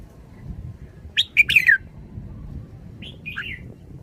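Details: Red-whiskered bulbul giving one rapid, punchy song phrase with a falling whistled ending, then a softer, burry warble about two seconds later; low background hum.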